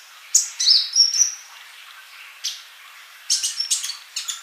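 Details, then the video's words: Vigorously singing sunbird (kolibri): a few high whistled notes and a thin flat tone open the clip, then a quiet gap, then a burst of rapid sharp chirps. "MASTERAN UNTUK BURUNG COLIBRI GACOR"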